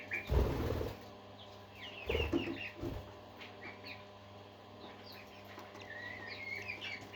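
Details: Parakeet flock of budgerigars singing, with quick rising chirps and twittering phrases at mid-high pitch. Loud low thumps like wing flaps or knocks come near the start and around the two-second mark over a constant hum.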